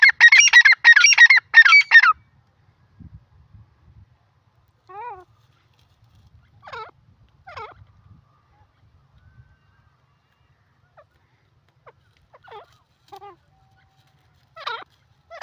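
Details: Grey francolin (Francolinus pondicerianus), call.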